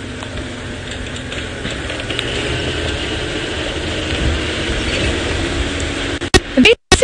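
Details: Steady engine drone and mechanical rattling from a vehicle on a sunset safari drive, ending in a few loud sharp clicks and knocks.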